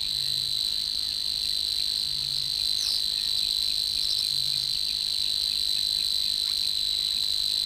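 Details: In the reed beds of Matsalu, a Savi's Warbler reels steadily: a long, even, high buzzing trill without pause, over faint low hums spaced about two seconds apart and scattered soft calls of other birds.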